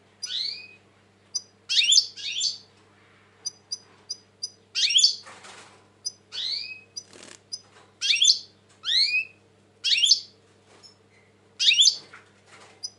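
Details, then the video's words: European goldfinch, 2020, described as very agitated, pouring out repeated scratchy twittered phrases and swooping notes almost continuously, with sharp high ticks between phrases and faint background hum. "Saka kuşu ötüm"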